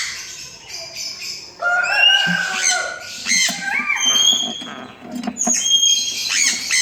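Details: Sun conure (Aratinga solstitialis), begging calls: chick begging to be fed.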